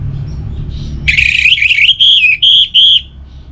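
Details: Kept orange-headed thrush from Singaraja, North Bali, delivers one loud two-second phrase of warbled, wavering whistles ending in three sustained clear notes, after a second of low background rumble.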